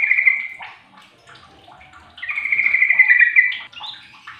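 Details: Sooty-headed bulbul calling to others of its kind, which answer back: bubbly, warbled phrases with a sustained slurred whistle-like note, overlapping answering calls.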